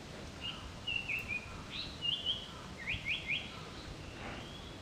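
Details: Japanese paradise flycatcher, recorded 7 May 2012 while flycatching nonstop from morning to evening, gives short, thin, high whistled notes, some doubled or tripled, over steady outdoor hiss.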